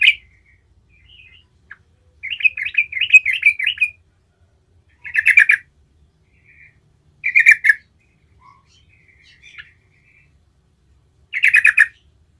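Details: Yellow-vented bulbul (trucukan) in lively continuous gacor ngerol song, used as a lure so other bulbuls answer: short bubbly liquid phrases burst out every two to three seconds, with one longer rapid chattering run early on.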